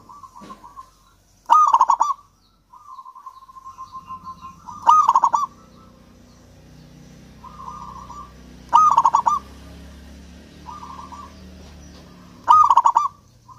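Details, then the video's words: Local zebra dove singing repeatedly, used to coax lazy doves: loud phrases of quick clipped coos about every three to four seconds, soft purring trills between them, and a low background hum in the middle part. "perkutut lokal gacor kutut lokal gacor ampuh untuk pancingan kutut malas bunyi dan macet"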